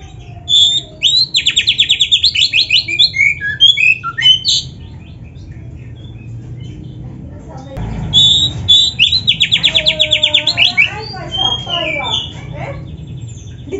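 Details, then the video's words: Black-breasted kacer tutor song with canary fills: two bouts of rapid, buzzy trilled rattles lasting a couple of seconds each, separated by a quiet pause, with a few scattered sharp chips. "MASTERAN KACER GACOR FULL ISIAN MEWAH KENARI⁉️ || BURUNG KACER DADA HITAM COCOK buat PANCINGAN‼️"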